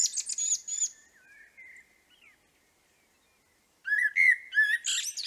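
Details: Common blackbird singing in the background at a hedgehog and bird nature corner in Liepāja, Latvia, May 2024: soft mid-pitched fluted warbles ending in high squeaky twitters, a quiet gap, then another warbling phrase with thin chirps.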